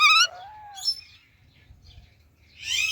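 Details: Indian ringneck parakeet calling, a bright harmonic chirp followed by a falling whistled note, then a harsh buzzy call after a quiet gap, with faint low hum behind.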